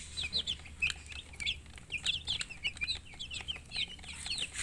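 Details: A group of chicken chicks calling in rapid, shrill peeps, clustered in overlapping bursts of downslurred notes that keep going without a break, with light clicking and handling noises.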